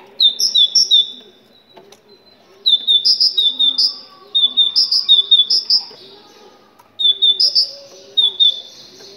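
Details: Moroccan great tit singing, used to stimulate other tits to sing: bright, high two-note phrases repeated rapidly in bursts of six to eight notes, separated by short pauses, over a faint low steady hum.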